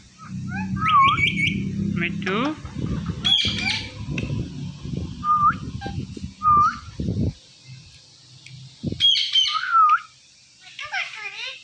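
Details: Pet Indian ringneck parakeet talking: short whistled and squeaky syllables with sharp rising-falling notes, some buzzy harsh sounds, repeated in bursts across the clip, with low murmuring background noise early on.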